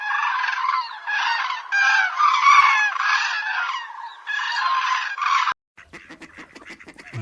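A crane gives loud, harsh trumpeting calls in rough bursts of about a second each, repeated for five seconds. Softer, clipped calls from another bird follow.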